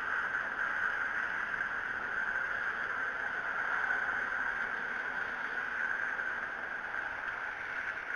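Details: Unbroken hiss, strongest in a narrow mid band, holding at an even level with no animal calls.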